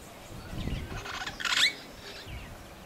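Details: Long-tailed glossy starling (Lamprotornis caudatus) at Bandia Reserve, Senegal, in March 2010, giving rougher chattering and then a single loud, harsh, grating squawk over a low background rumble.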